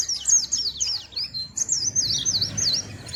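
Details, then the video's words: Small sweet-voiced white-eye giving high looping whistled notes in a steady string, over a low rumbling background. "Burung Kecil Pleci Bersuara Merdu"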